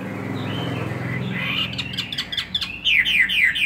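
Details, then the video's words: Chinese hwamei in a cage, held two years, in fighting song: a soft whistle over a low rumbling background, then a burst of sharp, fast repeated whistled notes toward the end. "Họa mi hót xòe hót đấu"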